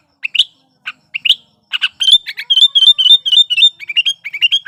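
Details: A sooty-headed bulbul in breeding condition sings energetically, a lure for bulbuls that will not sing: a few scattered chirps build into a continuous rapid chatter of slurred whistled notes, about four per second.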